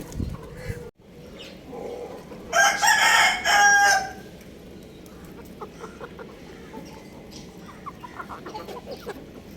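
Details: Young rooster playing on a roof gives one loud, hoarse, harmonic crow lasting about a second and a half mid-recording, preceded by a short thump and followed by faint clucks and scattered background noise.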